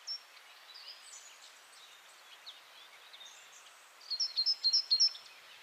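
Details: A Great Tit sings in winter, a song heard more from January in gardens, meadows and fields: a quick run of bright, paired high-low whistles, about four pairs a second, after faint, scattered high twitters.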